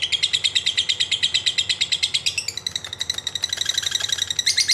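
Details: Lovebird in long ngekek trilling meant to coax other birds into song, a steady fast stream of harsh pulsed notes that shifts pitch midway and runs throughout.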